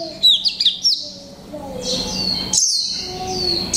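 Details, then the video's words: Caged white-eye of the mộc tinh type, one month in captivity, gives a few quick high chirps, then long thin whistled notes in its 'líu pha chòe trống' song, faint low hum behind. "phát hiện chú chim khuyên mộc tinh 1 tháng lồng '' LÍU PHA CHÒE TRỐNG '' cực hay"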